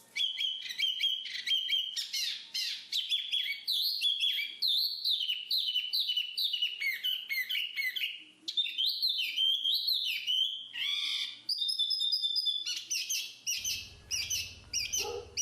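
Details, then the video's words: Long, rich song of a black-capped babbler: rapid, varied whistled and chirping notes run almost without pause. Near the end come a few held whistles and a burst of low rustling noise. "BURUNG JONGKANGAN/Black-capped Babble"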